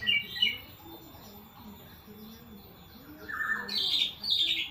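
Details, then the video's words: Strange-sounding song of a greater green leafbird: two bright chirps open, a quiet gap follows, then a harsh, buzzy burst of high notes and a second rasping phrase near the end, with faint low background noise. "Cucak ijo suara aneh"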